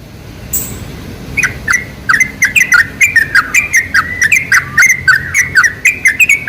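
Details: Sooty-headed bulbul song used as a lure to attract bulbuls: rapid chattering series of bubbly notes around mid pitch, many short phrases per second, loud and close.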